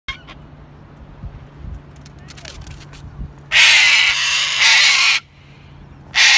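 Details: A cockatoo chasing off a dog gives a long, harsh, raucous screech lasting over a second, then a second burst at the end, after a quiet stretch with faint knocks.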